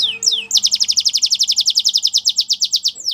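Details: Canary singing: two falling chirps, then an even, rhythmic trill of sharply sloping high notes repeated quickly for over two seconds before a final sliding note.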